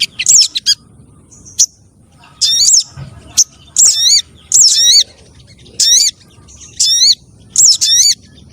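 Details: Spiderhunter lure call, a recording used to attract wild spiderhunters and other small birds, possibly mixing several spiderhunter types. High, sharp, chirping note-bursts with wavering whistled tones, in short clusters about every second, over a quiet background.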